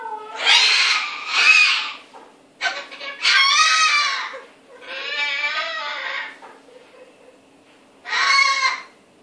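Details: Mimicry by a cockatoo: a run of grating, buzzy squawks of varying length, two quick bursts, then longer wavering screeches, a pause, and a final short harsh call.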